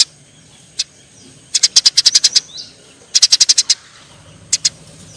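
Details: Eurasian tree sparrow fighting: scattered single high chirps around two quick volleys of about eight and six sharp chirps.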